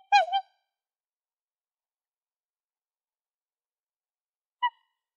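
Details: Black swan (Cygnus atratus) call, offered as a swan hunting call: a nasal, bugling double note, then a long silence and one shorter, softer honk near the end.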